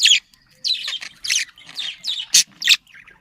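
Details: Domestic budgerigar chatter meant to stimulate breeding: a few separate harsh, squeaky bursts, each about a quarter second long, with one sharp piercing chirp near the end and gaps of silence between.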